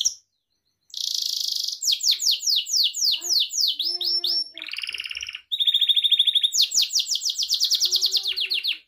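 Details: Pet Gloster canary singing a training song, a quick series of falling whistled notes rolling into fast trills, a lower buzzy rattle, then bright repeated chirps at about three per second.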